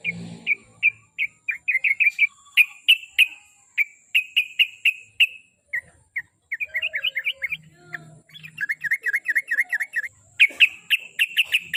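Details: Sooty-headed bulbul song meant to spur a pet bird to sing: lively strings of chirpy, slightly warbled notes in bursts, some descending, growing denser and faster near the end.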